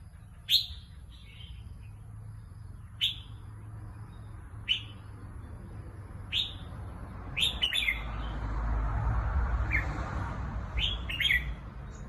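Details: Red-whiskered bulbul trained for song contests repeating short, sharp chirped notes every one to two seconds, later in quick doubled clusters, while a rumbling background noise swells through the second half.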